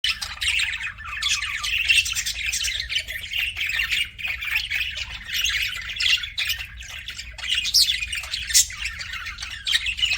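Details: Budgerigars in an aviary chirping: a dense, continuous chatter of many high squeaky chirps, warbles and short squawks overlapping without pause, over a steady low rumble.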